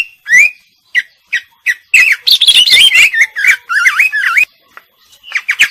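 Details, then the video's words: Scattered sharp chirps open, then a female greater green leafbird breaks into a rich stream of wavering, looping whistled notes before a brief quiet and more chirps. "Burung Cucak Ijo Betina Gacor Isian"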